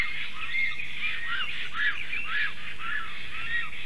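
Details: Nesting Black Storks, a mated male and female, call against an intruding stork at their nest tree, late morning on 12 July 2023. Dense, overlapping arched calls come in a rapid, uneven run.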